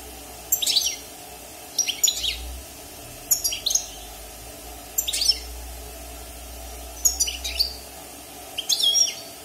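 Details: European goldfinch, a wild bird caged for six months and just out of moult, repeating six quick liquid twittering phrases roughly every one to two seconds, bright and high, with a low room rumble beneath.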